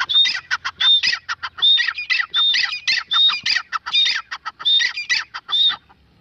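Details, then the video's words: Grey francolin female giving a sustained series of loud, shrill, rhythmic calls. Each phrase starts with a clear high whistle-like note followed by rapid harsh syllables, repeated steadily with almost no break. "teetar ki awaaz || GREY francolin voice || Grey francolin female voice"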